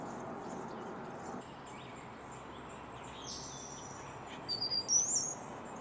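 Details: A male hummingbird perched in a tree in the Sierra foothills of California on a hot summer day gives a brief run of thin, very high squeaky notes, said to be a courtship song, after a quiet stretch of soft background hiss.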